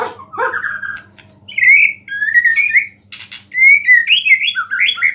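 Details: White-rumped shama song filled with small-bird phrases, able to stir other shamas: rich warbled whistles and clicks in bursts, rising and falling slurred notes repeated, over a steady faint low hum.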